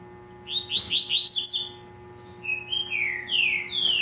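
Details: Double-collared seedeater in a breeder's care singing in the tui-tui zel-zel style, recorded on 5 December at 8 a.m.: a quick run of high buzzy rolled notes, then a pause and several clear falling whistled slurs, over a steady low hum.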